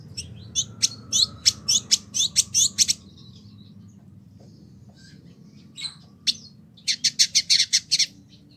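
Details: Caged Village indigobird (Vidua chalybeata) in Bandung, West Java, Indonesia, kept a year and singing freely as a tutor bird. Fast series of harsh buzzy notes, a pause, then another tight run of scratchy chips.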